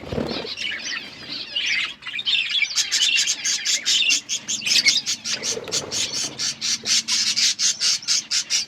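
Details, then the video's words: Budgerigars in mixed colours chirp busily, starting with tangled warbling, then settling into a quick regular series of sharp chirps repeated several times a second. "Beautiful budgies colour budgies chirping sounds"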